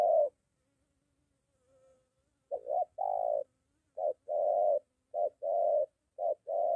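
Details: Spotted dove near home, a molting decoy in training facing a wild bird. One coo sounds, then a pause, then paired hooting coos resume, short then long, repeated several times.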